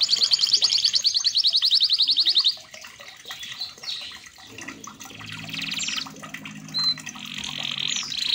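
A red canary opens with a loud, rapid high trill for about two seconds, then softer chirps and whistles over a low hum and a faint background of water.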